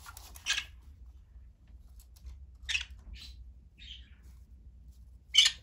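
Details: Pet green-cheeked conure in Aichi, Japan, crying for its budgie companions when no other birds are in sight: harsh, raspy screeches in scattered bursts.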